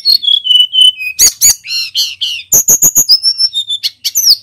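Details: Male Sunda robin, locally tledekan gunung, sings steady whistled notes on one pitch, then harsher buzzy phrases, a rapid string of sharp repeated chips, and a long level whistle.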